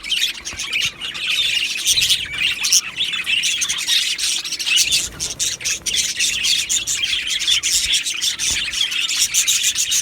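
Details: Australian budgie colony in an aviary, dense twittering and harsh squawks from many birds, loud and continuous, with brief dips where the chorus thins.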